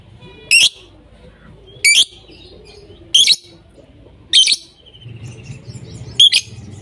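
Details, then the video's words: A lovebird gives five sharp, harsh, high-pitched shrieks, each brief and roughly one to one and a half seconds apart, with faint chatter and a low background hum between them. "Love Birds Sounds"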